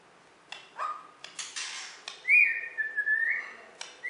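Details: Borneo white-rumped shama, a champion songbird from West Kalimantan, giving sparse whistles: a flat note near the start, then a long sliding whistle, mixed with sharp clicks and short noisy bursts over a quiet background.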